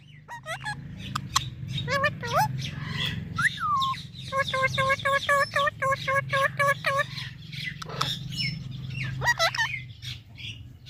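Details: Talking parrot produces quick voice-like syllables and sliding whistled notes, then a fast regular run of clipped tonal pulses, over a constant low droning hum.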